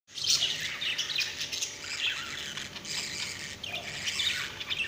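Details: A pet budgerigar chatters in a steady stream of high, scratchy chirps and warbles.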